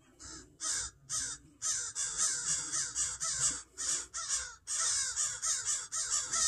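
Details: Upset crow pair defending a fledgling from someone working in a yard: dense, harsh caws run almost back to back, some slurring together, roughly two each second.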